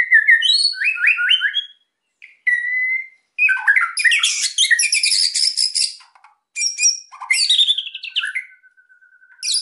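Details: Emotional white-rumped shama song to make quiet birds sing: quick rising whistled notes, a clear whistle, then loud dense harsh chattering, sharp high notes, and a closing long low whistle.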